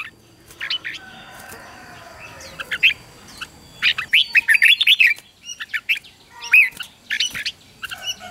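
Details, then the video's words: Red-whiskered bulbul song played to train young birds to sing: bursts of bright, warbled whistles with quick rising and falling notes, scattered phrases between short pauses, a faint steady hum underneath. "luyện cho chào mào bổi hót"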